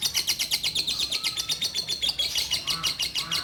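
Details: Orange-bellied leafbird of the Bio Green type, a caged female at a bird farm, kept daily as a song tutor for magpie-robins and young leafbirds. Rapid, rhythmic, high chattering notes run throughout, with about two per second and faint lower whistles behind them.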